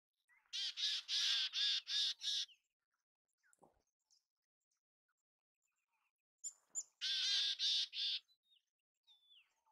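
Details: Mountain chickadee in its natural habitat gives a string of five harsh, buzzy, evenly spaced notes, falls silent for about four seconds, then repeats a similar rasping series of four notes, with faint soft chips between.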